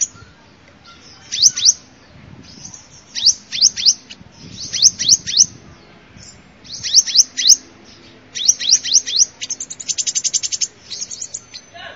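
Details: Sunbird song used as a lure: repeated groups of sharp, very high downslurred notes in quick runs, separated by short pauses, then an even, rapid high trill near the end.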